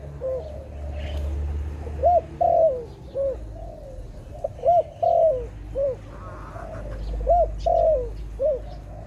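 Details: Dove during bird trapping uttering a lively run of short arched coo notes and longer falling coos, evenly spaced over nine seconds, with faint distant chirps and a low droning background.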